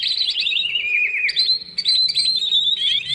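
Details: Greater green leafbird in full, busy song, used as a lure to get lazy birds singing: a rapid, continuous stream of warbled, slurred whistles and trills, high and bright, with sudden jumps in pitch and no pauses.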